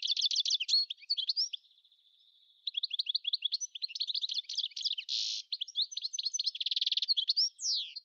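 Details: European goldfinch song: a long, fast jangle of tinkling, liquid notes with a thin held tone near the start, buzzy rasping inserts and trills, ending on a downslurred whistle.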